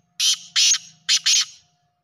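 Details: In a village, a black francolin gives four harsh, grating notes in two quick pairs. A faint low hum runs underneath.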